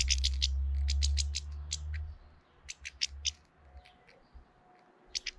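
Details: A hefty European goldfinch, filmed in early April while intimidating another goldfinch, gives a quick run of sharp, high twittering notes, then scattered short chirps after a pause, opening over a loud low rumble.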